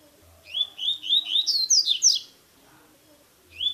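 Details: Blue-black grassquit song played to stimulate or teach a caged bird for the new season: a fast run of short rising whistled notes climbing into higher slurred phrases, about a second and a half long, then a pause and another note.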